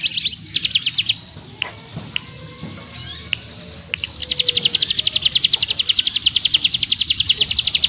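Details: Short bursts of buzzy trill from a ciblek gunung, a gap with sharp clicks and thin notes, then a sustained fast, high ngebrem trill through the final four seconds.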